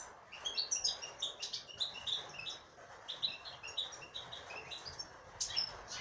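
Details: Female European goldfinch singing a steady string of short, bright chirps and twitters in quick succession over a faint background hiss.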